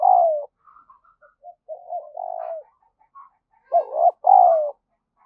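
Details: Lure spotted dove giving quick urging calls and coos: a loud falling coo opens, soft murmured notes follow, then another loud two-part coo, rising then long and falling, in a clean quiet recording.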